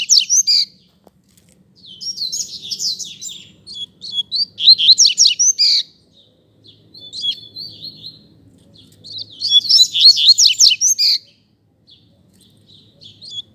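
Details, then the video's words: Rusty-collared seedeaters in a singing contest: loud alternating phrases of fast, sharp twitters and buzzy trills, several bursts of two to four seconds with short pauses, faint low noise between. "Coleiro Disputa de Canto"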